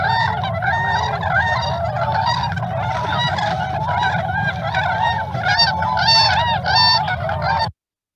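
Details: Tundra swan (Cygnus columbianus) flock, a large group as they usually gather, calling together in a steady chorus of overlapping high, yelping, slightly bugling notes over low rumble; winter bird, more prevalent than trumpeter swan in the valley.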